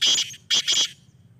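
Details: Black francolin giving three harsh, high squealing notes, the first a long burst, then a pause and two more joined notes; a faint low rumble sits beneath.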